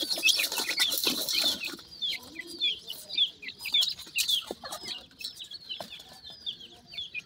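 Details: Black francolin chicks in a nursery, called Irani teetar or ringneck francolin: a busy chorus of short, high, downward-slurred cheeps repeated rapidly and overlapping, with a loud rustling burst at the start.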